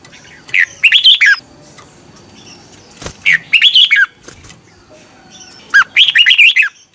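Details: Morning singing practice by a red-whiskered bulbul: three short warbling phrases of quick looping notes, each under a second, spaced by quiet pauses with faint background rumble.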